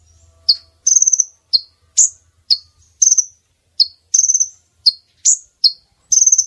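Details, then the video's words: Female brown-throated sunbird calling to attract males, used for luring birds into nets: piercing high chirps at roughly two per second, several stretched into short rattling trills, over a faint low hum at the start. "Pemikat kolibri ninja jantan,||, suara konin betina!!"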